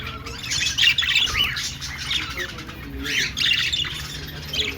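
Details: Budgerigars singing while dancing: busy, scratchy warbling chatter with quick high chirps and squeaky notes in overlapping bursts, louder around the first and third seconds, over a low steady hum.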